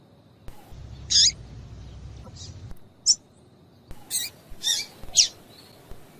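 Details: Female double-collared seedeater calls, used to get males singing: short, sharp, high chips scattered irregularly, some in quick pairs, over a faint low hum and quiet background hiss.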